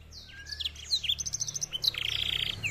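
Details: Black-throated canary (Crithagra atrogularis), an African finch, kept as a songbird, singing a rapid, high twittering song of quick slurred notes and buzzy trills, with a low hum in the background.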